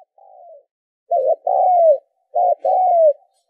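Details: Spotted dove cooing, a recording used as a lure to train decoy birds: soft, mid-pitched coo phrases, each a short double note followed by a longer falling coo, repeated about once a second, with nothing else audible.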